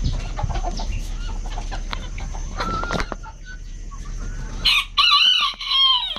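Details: Imported Brahma bantam chickens kept at a pet aviary in Malaysia; short clucking notes and brief rising calls over steady hum, then loud harsh, shrill calls from other birds burst in near the end.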